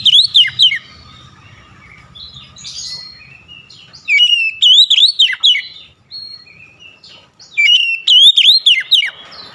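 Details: Oriental magpie-robin in full, lively song: bursts of loud, clear whistles swooping and rising with sharp up-and-down notes, delivered in three vigorous phrases separated by quieter pauses; faint low background rumble.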